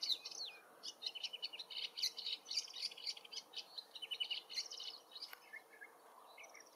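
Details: Woodchat shrike sings far off in forest habitat, pouring out a fast, jumbled stream of high chirps, trills and whistled slurs, about three to four notes a second, then a softer tail.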